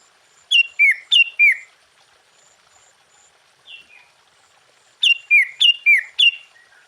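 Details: Sooty-headed bulbul song, full of varied phrases, meant to raise the fighting spirit of other bulbuls. Two clusters of four or five bubbly, dropping notes are separated by a quiet pause holding one soft note.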